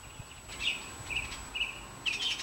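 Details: Bluebird nestlings, a brood of five that hatched June 27 and 28, 2019 and fledged July 14: several brief, high, slightly buzzy notes spaced about half a second apart, fairly clear over light background noise.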